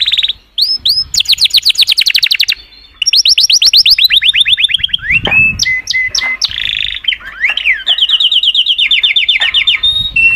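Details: Singing canaries deliver a loud, varied song of rapid trills, repeated downward-sweeping notes, rolling buzzy phrases and sharp high chips, with barely a pause across the whole stretch.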